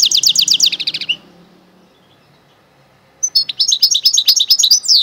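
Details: Goldfinch and canary hybrid mule in song. A quick run of high, downward-slurred notes repeated in a row, a pause of about two seconds, then a busier twittering phrase of varied chirps.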